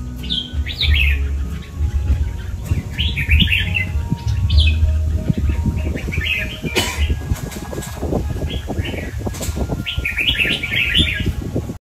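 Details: A kept red-whiskered bulbul sings brief warbling phrases spaced several seconds apart, amid clattering knocks and rustling, possibly wing movement, with a soft low thumping beat.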